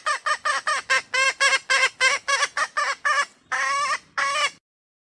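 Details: Sumatran red junglefowl hen, a call used for luring males into approaching or crowing: quick, uneven raspy cackles, then two longer drawn notes after a brief pause.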